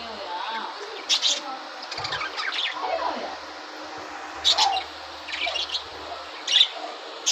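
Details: Several captive budgerigars in red-eyed, yellow and sky-blue colours at the start of breeding season, while laying eggs. Sharp high chirps come in bursts among softer warbling chatter, with a brief low rumble.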